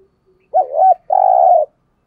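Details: One full coo phrase from a decoy spotted dove calling to entice wild doves: a quavering, rising first note, then a long, steady, purring hoot, with silence around it.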